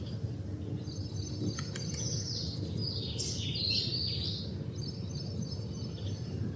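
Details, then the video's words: A male House Sparrow perched outdoors while collecting bark and twigs for nesting chirps loudly in quick, uneven bursts of bright, high chips, over a steady low rumble of background noise. "Male Sparrow Chirping Sound"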